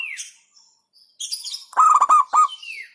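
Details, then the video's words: Local zebra dove song: a loud run of three or four quick stuttered coos, preceded by high chirps and a falling whistle from other birds, with another descending whistle after. "Hentakan Burung Perkutut LOKAL Suaranya Berkelas"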